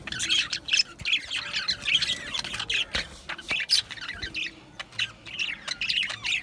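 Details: Australian budgerigars in an aviary colony, many birds chirping at once: dense bursts of bright, scratchy twittering and short squeaky notes, rising and falling in quick runs with brief gaps between clusters.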